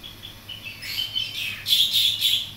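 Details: Young greater green leafbird learning to sing, tutored by a pied myna, a bearded bulbul and another songbird: bright high chirps and slurred whistles, sparse at first, then a louder run of sharp notes in the final second.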